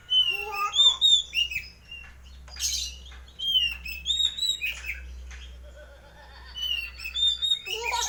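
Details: Oriental magpie-robin of the white-breasted form in full, lively ngeplong-style song kept for home entertainment: varied clear whistles, rapid chirps and harsh bursts delivered continuously over a steady low hum.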